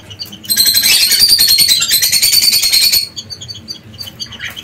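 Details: Canaries busy building and finishing their nest so they can lay eggs; a loud, dense, fast trill of rapid high notes runs for about two and a half seconds, then thins into scattered high chirps.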